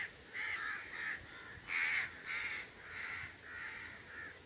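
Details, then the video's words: Raven voice during breeding season: about eight hoarse caws spaced unevenly, one notably louder and harsher near two seconds, the rest softer and drawn out. "crow 's sound effects in breeding season || Raven voice"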